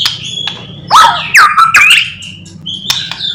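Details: Morning song of a white-rumped shama, used to stir other shamas into singing: a few loud swooping and rising whistles separated by quieter notes, over a faint low hum.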